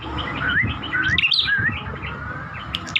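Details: Chestnut-crowned warbler giving thin wavering whistles and short slurred notes in a loose sequence, with a steady hum and background hiss throughout.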